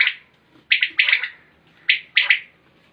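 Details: Common quail calling: sharp three-note phrases, one short note followed by a quick pair, bright and clipped, repeated about every second, against a quiet background.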